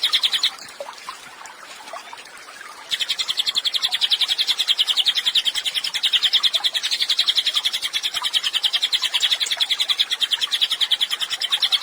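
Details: Pygmy tit singing as tutor song for songbirds: a few faint notes, near silence for three seconds, then a long, loud stream of rapid high pulsed chirps.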